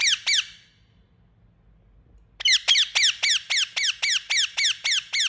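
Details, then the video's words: Piercing high notes from a pet Indian ringneck: two quick squawks, a two-second pause, then a steady run of a dozen shrill down-slurred calls at about four per second. "Beautiful Indian Parrot Making Sound | Natural Parrot Voice"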